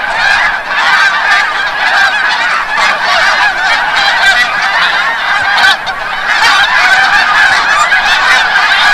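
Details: At sunset over Forsythe National Wildlife Refuge in Oceanville, New Jersey, snow geese return from the bay, a massed, unbroken din of high nasal honks and yelping calls, very loud and steady throughout.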